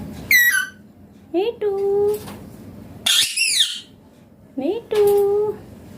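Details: Talking Indian green ringneck parrot giving clear speech-like phrases: a high squeaky syllable, then two repeated rising-then-level utterances about three seconds apart with a harsh screech between, over a faint indoor hum.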